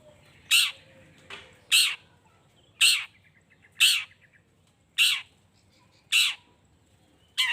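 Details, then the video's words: Long-tailed shrike in full voice, used as a lure to stir other shrikes into answering: a series of loud, harsh, rasping notes, each short and broad, repeated roughly once per second over a faint low hum. "Cendet Gacor Pagi Siang Sore...Merangsang Emosi Cendet Manapun Agar Cepat Nyaut Emosi Dan Ikut Bunyi"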